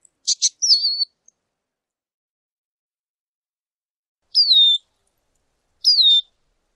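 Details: Lesser goldfinch giving a pair of chips and a wavering whistle, then after a long silence two sweet, descending whistled calls.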